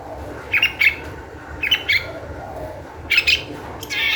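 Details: Long-tailed shrike used as a lure to get other shrikes singing, giving harsh paired squawking notes in short bursts separated by pauses of about a second, scratchy and high, against a faint low hum.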